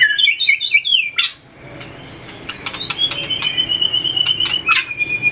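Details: White-rumped shama practising fighting song while tail-flicking on its perch: a quick burst of rolling whistled notes, then a thin sustained high tone punctuated by crisp clicks.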